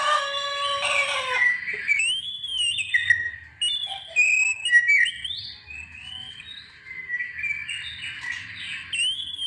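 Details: Song of an Oriental magpie-robin, used to provoke other birds to sing: a loud opening noisy burst, then varied clear whistles, arched slurs and scattered high notes in irregular phrases.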